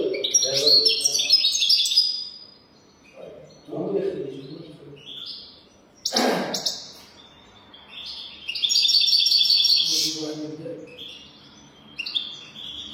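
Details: Goldfinch song in the 'golden throat' style, used for teaching goldfinches: bright twittering phrases separated by pauses, including a buzzy trilled run. Lower mid-pitched sounds and a sharp knock are also heard.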